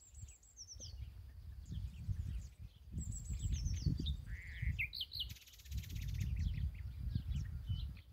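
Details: Nightingale singing in an ash tree: high descending whistled phrases repeated twice, a lower rich slurred note, then a dense buzzy rattle, with continuous low background rumble.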